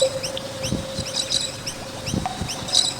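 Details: Noisy miners near a skate park give bright, rising chirps in quick succession, with a few sharper bursts toward the end. A steady mid-pitched hum and soft low thuds run alongside.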